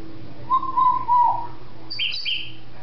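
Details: Pet female African grey parrot, filmed in December 2007, vocalizing indoors: a run of wavering mid-pitched whistled notes, followed by two brighter, higher squeaky whistles near the end, over a steady low household hum.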